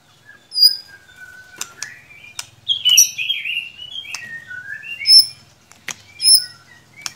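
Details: Lure song of a white-rumped shama, meant to coax a reluctant bird to sing: varied clear whistles, some slurred downward, others rising, mixed with sharp high ticks and short gaps.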